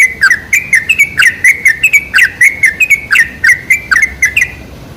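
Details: Sooty-headed bulbul song, played as a lure to make other bulbuls sing: rapid, lively chattering of clear chirped notes that dip and rise, nearly four per second, continuous and loud.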